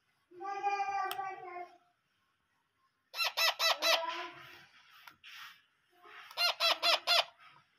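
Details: Hand-fed parrot chicks begging: a drawn-out nasal harmonic wail, then bursts of rapid, pulsed raspy squawks repeated in quick series after short pauses, indoors.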